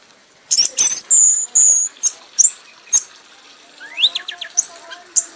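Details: An award-winning red-whiskered bulbul sings hard in an ecstatic state until spent. It gives several long, bright, high whistles, then spaced sharp chirps, then a quicker burst of rising notes with quiet background between phrases.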